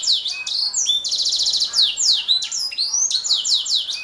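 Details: Canary in continuous high song: quick downward-swept notes, then a long rapid rattling trill, followed by rolling chirps and sliding whistles repeated in a steady, lively stream.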